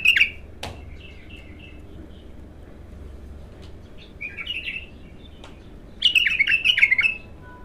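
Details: Raw song of a bulbul singing for the first time: a sharp opening note, soft repeated fluty phrases, a bubbly warbled burst midway, then a long, loud, rolling cascade of rich notes.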